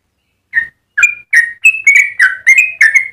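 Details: Yellow-vented bulbul in full long rapid song, used as tutor and stimulus for other bulbuls: after a half-second pause, bright whistled chirps come about three per second, each note slurred and varied, growing steadily more continuous.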